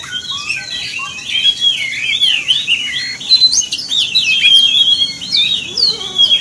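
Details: Oriental magpie-robin provocation song aimed at other magpie-robins: sweet whistled phrases, rising and falling slides and quick chirps, steady and continuous, with a faint hum behind.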